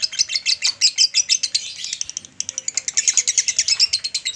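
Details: A male lovebird in long chatter meant for training other birds; shrill chirps delivered in fast bursts, a short gap just after two seconds, then the rapid pulsed chatter resumes.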